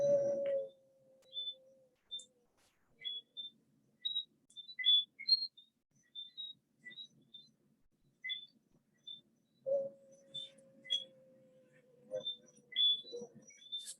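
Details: Bermuda petrels give long, steady moaning wails, a pair's reunion greeting after months apart, recorded on an iPhone, with chirping tree frogs behind.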